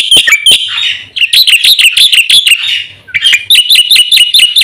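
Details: Black-winged myna in full, busy song used as a lure and training recording for caged birds; loud, clear whistled notes with sharp rising slurs, delivered in rapid repeated bursts separated by brief pauses.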